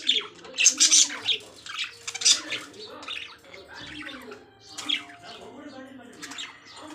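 Lovebirds give shrill, harsh chirps and squawks in quick bursts, with brief pauses between them. A faint low hum sits underneath.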